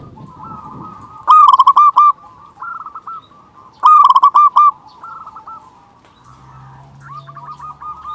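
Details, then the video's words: Zebra dove of local type, used to lure doves and stir courtship: two loud bursts of rapid bubbling coos about two and a half seconds apart, with quieter trilled phrases between and after them. "Panggilan burung perkutut"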